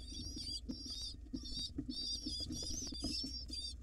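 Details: Nest-box pigeon nestlings, wild, begging loudly during feeding by their mother: sustained, shrill, wavering squeals in long overlapping runs, with brief gaps and a background hum.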